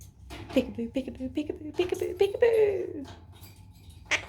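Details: A foster Quaker parrot, playful and cheeky, indoors in a small room. Short speech-like syllables come quickly, then a longer sliding falling note and a final sharp chirp. A person speaks quietly nearby.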